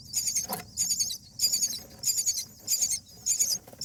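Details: At a nest with babies, day eight, a common myna parent gives an odd sound to draw its mate out against nest bugs: rasping, high-pitched bursts spaced roughly every half second, low hum beneath.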